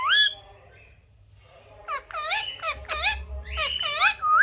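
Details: Ringneck parrot mimicking speech, starting with one sharp squawk, a pause, then a fast chain of bent, nasal syllables rising and falling, with a low hum underneath.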